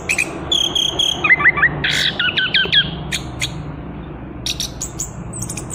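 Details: Free young Chestnut-capped thrush, recently out of spotted juvenile plumage, in continuous ngerol singing: a thin high whistle, then a run of quick hooked slurred notes, followed by scattered high chirps, against a faint low background hum.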